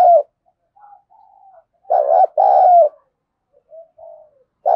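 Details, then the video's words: A spotted dove gives thổ-voice contest cooing to spur fighting: one full loud phrase, a short doubled note and a drawn-out coo, framed by the tail and start of others and by faint soft cooing notes. "tiếng chim cu gáy thúc đấu vấy bổi nghe nhanh gáy và gấy ức chế cao"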